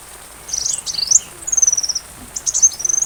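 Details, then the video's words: Sunbird singing, recorded to teach a white-rumped shama, with rain sounds: high-pitched sweeping whistles and rapid ticking trills in several short bursts. "Masteran Rajanya Isian Kolibri"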